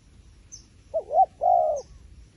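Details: Wild pigeon calling near a decoy bird: a short rising note, then a louder rising coo, and finally a long level, throaty coo. Faint high ticks sound about once a second in a quiet background.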